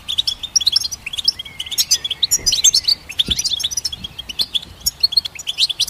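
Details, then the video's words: Twittering goldfinch song, dense bright chirps and short trills tumbling quickly, with a faint drawn-out whistle early on and a few clicky notes underneath. "Goldfinch Symphony orchestrated by nature's motivational melodies"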